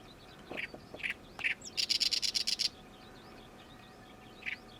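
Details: Oriental reed warbler, a summer visitor just returned, noisily calling gyo-gyo-shi: a few rough squawked notes, then a very fast, loud rattle of about nine clipped syllables, followed by quiet distant chirps and one last rasp.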